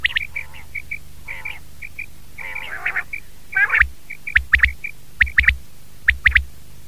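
Common quail giving sharp, liquid three-note phrases about once a second, over scattered small high chirps and a few murmured, voice-like sounds in the background.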